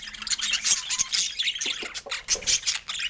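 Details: Budgerigars kept as pets make fast, squeaky warbling with rasping clicks and brief chirps, tumbling together in a busy, high-pitched stream.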